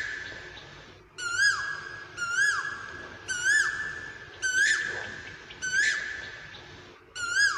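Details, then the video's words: An Asian koel gives six loud, rising two-part whistles, roughly one a second, over a steady insect-like hum. "Tiếng Chim Tu Hú Hót Hay"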